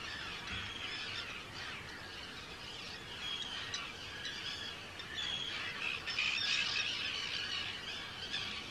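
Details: Arctic terns at one of the Netherlands' largest colonies, Rottumerplaat, 4 June 2023; rapid, overlapping grating cries from many birds, louder and denser toward the end.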